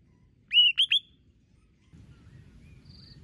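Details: White-rumped shama in competition singing, described as singing many voices: three short clear whistled notes near one pitch in quick succession, followed by quiet with faint low background rumble.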